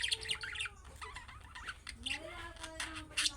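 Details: Young budgerigars calling to draw replies from other budgies, heard as bright, rapid chattering chirps and short squeaky notes, with a faint lower sliding whistle partway through.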